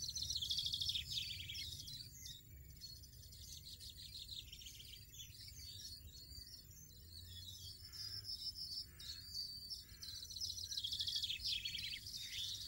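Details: Wild European goldfinch, its nestlings being fed insects, singing long runs of quick, high, jingling twitters and trills that swell and fade, with a low steady hum.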